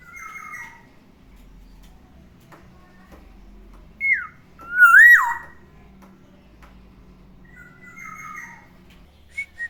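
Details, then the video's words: Caged black-naped oriole in the morning, a pet bird, giving soft whistled phrases at the start and end around one loud swooping whistle that rises then falls sharply, with a low steady hum behind. "OCEHAN BURUNG KEPODANG DI PAGI HARI, SUARANYA BIKIN ADEM"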